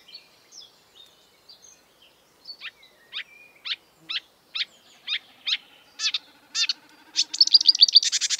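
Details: Marsh warbler song building from soft scattered notes into a fast series of sharp downslurred ticks, ending in a loud rattling trill; the bird imitates European and African species.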